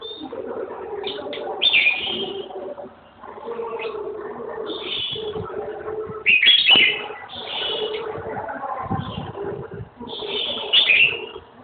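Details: Singing red-whiskered bulbul: short bursts of loud, bright whistled and chattering phrases every second or two, separated by quieter gaps filled with low rustling and knocking sounds.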